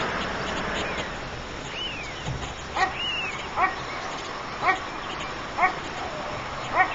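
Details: White stork nest holding three chicks. Short, harmonic, yelping calls repeat roughly every second. Thin, rising and falling whistles from other birds and a steady background hiss run throughout.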